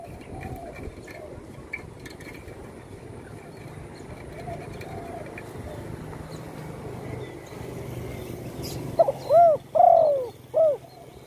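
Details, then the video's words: Spotted dove, wing once broken by a shot and now kept at home, sings one cooing phrase near the end: short notes, then a long descending coo and a clipped finish. Heavy background rumble precedes it. "burung tekukur,yg dulu di tembak orang kena sayapnya patah,kini sudah gacor di Rumah"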